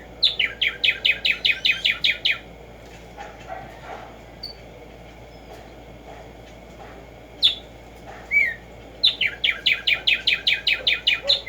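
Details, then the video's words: Wild black-striped sparrow (tumba yegua) in morning song: a fast train of crisp repeated notes, a pause with a few scattered soft calls and one slurred whistle, then another rapid run of repeated notes. "HACER TRINAR a Tumba Yegua Audio para estimular el CANTO a estas bellas aves en la NATURALEZA"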